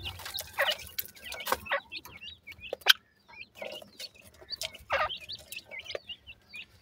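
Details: Young francolins feed and play, giving high, wavering cheeps in loose series, interrupted by loud clicks and a short silent gap, then more overlapping peeps.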